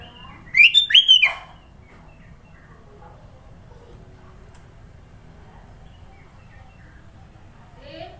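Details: Varied filler song of a sooty-headed bulbul, Sidoarjo, East Java: a rapid, bubbly burst of five or six loud, rising-and-falling whistled notes lasting under a second, then quiet with faint background murmur.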